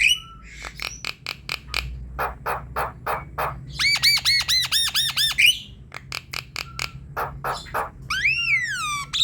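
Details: Javan myna singing actively, to prompt a silent myna into song: clicks and harsh rasps, a loud run of ringing looped notes, more rasping chatter, then a long descending whistled slur.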